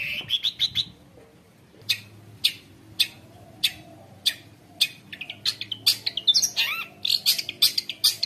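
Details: Long-tailed shrike singing a mimicry-filled 'gacor' song meant to tutor young shrikes and provoke others: a quick burst of high notes, a pause, then single sharp clicks about every half second building to dense, varied twittering.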